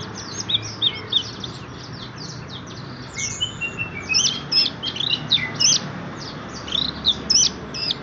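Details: Ringed anis merah, the orange-headed thrush, held at a bird shop in Graha Raya, Serpong, singing energetically: loud bursts of varied whistles, trills and slurred chirps in short phrases, separated by brief pauses, with faint background noise.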